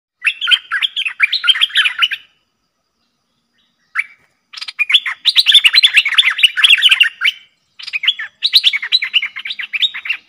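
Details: A pair of streak-eared bulbuls duel in song on 30/10/2021, chattering in fast, bubbly bursts of sharp notes, the two birds overlapping in lively phrases with a short pause between bouts.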